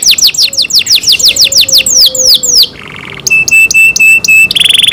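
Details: Pet canary singing a string of high down-slurred whistles that slow and lengthen, then a brief buzzy roll, a sequence of clipped metallic notes, and a closing fast rattle.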